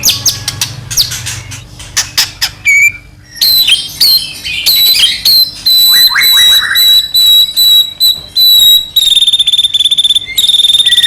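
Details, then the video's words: White-rumped shama song played to provoke another shama into singing: varied high whistles, sharp chips and buzzy notes, with steady high sustained tones and stuttering phrases. "murai batu gacor AMPUH buat PANCINGAN murai batu agar bunyi"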